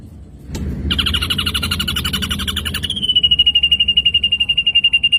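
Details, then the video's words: Ashy drongo song used for training songbirds: a sharp click opens a harsh, buzzy pulsed run, which shifts into a thin, even trill repeated very fast and easing slightly lower. "materi masteran burung srigunting abu - abu"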